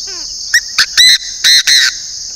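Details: Decoy Chinese francolin, northern Vietnam, calling loudly: five harsh, buzzy notes in quick succession, the first two brief and the last three drawn out, against constant shrill insect noise, with a short descending whistle before the call.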